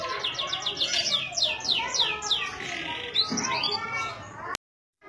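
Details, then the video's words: Canary in Indonesia pouring out a fast series of repeated downward-sweeping whistles, then a buzzy phrase and a final sliding note before an abrupt cut. "CANARY SINGING - serinus canarina"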